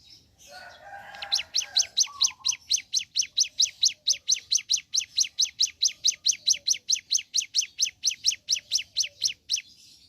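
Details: Long morning song of a ciblek gunung: after a brief mixed chatter comes a sustained, steady stream of shrill descending chip notes, roughly two per second.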